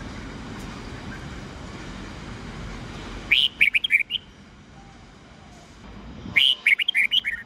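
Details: Red-whiskered bulbul giving its 'old forest voice' morning song of 8 to 10 notes, used to train juveniles: two lively phrases of rapid, chirpy whistles about three seconds apart, with steady hiss before them.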